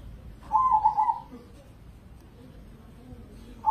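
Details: Indonesian perkutut crossing, a crossbred zebra dove kept caged for singing contests: one trilled, purring coo phrase, then silence, then the next phrase just starting at the end.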